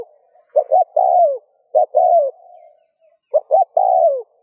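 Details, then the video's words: Spotted dove cooing to stimulate other doves to coo: three phrases, each two quick low hooting notes and then a longer, drawn-out coo that slides down in pitch, with short silent pauses between them. "Tiếng cu gáy RÚT BỔI hiệu quả , Chim cu rút bổi bài bản.chim cu gáy . cu gáy thúc gù kích bổi"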